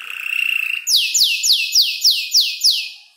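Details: Young canary about five months old, working mimicked bird phrases into its song. A steady buzzy trill gives way to six loud, clear downslurred whistles repeated about every third of a second.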